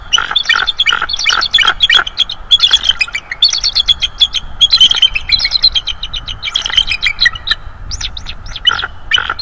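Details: Haunting vocals from a subadult bald eagle visiting a nest and the branches above, 19 Dec 2022: nearly continuous high, piping chatter, fast staccato notes tumbling one after another for the whole stretch.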